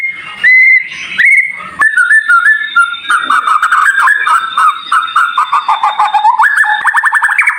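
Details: White-rumped shama song, dense and varied. It begins with a few bright whistles, then runs into a long series of rapid, slightly falling notes and ends in a fast, rising, rattling trill.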